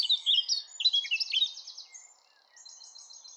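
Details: Eurasian blackcap song: a fast run of varied whistled and warbled notes, then a brief gap and a fainter trilled phrase near the end, over a faint low hum.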